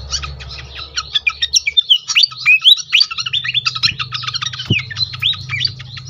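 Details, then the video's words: Pied fantail chattering meant to prompt other fantails to sing: quick chips mixed with short rising squeaky whistles, a low steady hum and one sharp click partway through. "on konsLet sekali pancing bikin cepat gacor sikatan kipas lain"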